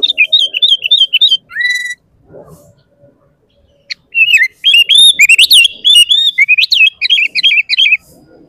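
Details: Sooty-headed bulbul in full song, used as a lure to set other bulbuls singing: quick bursts of bright chattering, rising-and-falling notes, broken by a short, steady, flat whistled tone and a brief pause before a long busy run.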